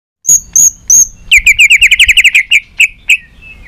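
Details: White-rumped shama song used to stimulate shamas to sing, in a varied many-voiced style: three high clear whistles, then a fast run of about a dozen sharp repeated notes, ending in a few spaced chips and a soft fading whistle.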